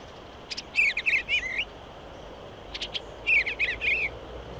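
Eastern bluebird giving two soft, burry warbled phrases about two seconds apart, each a quick run of mellow rising and falling notes, over quiet background.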